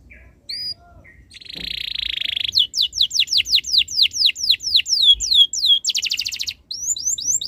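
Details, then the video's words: Tutor canary song to set other canaries singing: a brief buzzy roll, then a long series of clear downward-sweeping whistles about three per second, a quick trill and rising chirps. "MASTERAN BURUNG KENARI ABAD INI - BIKIN KENARI LAIN IKUT BUNYI"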